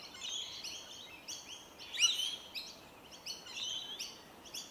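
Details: Rainbow lorikeets feeding on tree violet berries in Melbourne in January give constant raspy, chattering screeches; a sharp louder squawk breaks through near the middle of the busy flock noise.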